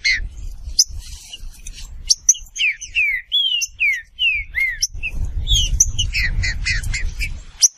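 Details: Green-winged saltator whistling a series of rich slurred phrases, some rising then falling, roughly two or three per second, over a steady low rumble that grows louder toward the end amid denser chirps.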